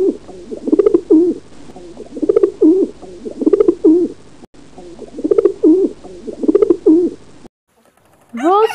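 A pigeon gives soft, low, throaty coos in rolling bursts about every second or two, and a voice speaks briefly at the end.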